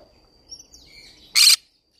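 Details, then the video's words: Green-cheeked conure singing in a flower garden: a single loud, raspy squawk follows soft background chirps and twitters from other birds. "green cheek conure singing sounds"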